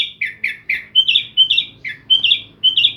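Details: A kept sooty-headed bulbul from Jember, East Java, sings a bold, clear 'gacor' phrase: drooping whistled notes followed by repeated paired rising-then-falling whistles, delivered briskly and loudly in a regular rhythm.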